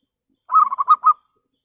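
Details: Single phrase from a local zebra dove's clear rival-calling lure song: five or six quick, rounded cooing beats, the last two louder and slightly longer.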